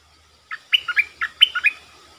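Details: Streak-eared bulbul kept as a lure bird calling wild birds in; one short phrase of about eight clipped, warbling notes alternating high and low, over faint background hum.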